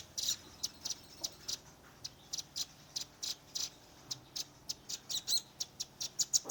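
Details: Young velvet-fronted nuthatch giving its tembakan, a rapid shooting call style, recorded on a Redmi 10 phone: sharp, very high clicking chips spaced about every third of a second, quickening toward the end.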